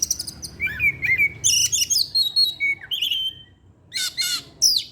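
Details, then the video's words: Evening song of an Oriental magpie-robin: clear whistled notes, rising and falling slurs and rasping chatter in quick succession, over a low background hum. "pancingan suara kacer , Opus setiap sore ngeplay dan keluar materi"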